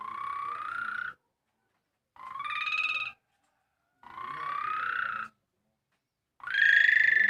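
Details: Javan pied starling imitating a motorbike starter in its song: four harsh, finely pulsed whirring bursts about a second each, each sliding slightly upward in pitch, separated by roughly one-second pauses, the last loudest and highest.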